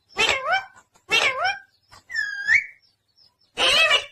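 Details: Pet parrot in India, a talker, gives two strong bent squawks about a second apart, then a steady whistled note sliding upward, and a final noisy burst.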